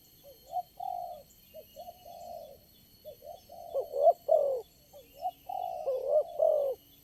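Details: Spotted dove calling at a bird-trapping site with lure birds, the lone wild caller answering eagerly. Soft, mid-pitched coos start quietly, then grow louder into clustered two- and three-note phrases with falling tails.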